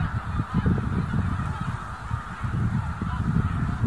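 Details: Snow geese in a flock of more than 30,000, disturbed by one limping black bear in January 2016; dense, overlapping honking from countless birds merges into a continuous roar, with heavy low rumble throughout.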